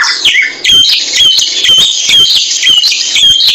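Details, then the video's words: Samyong bird in a songbird training recording, delivering a dense, high, buzzy warble with quick chattering notes and brief whistles, packed tightly together with almost no pauses. "Mastran burung samyong"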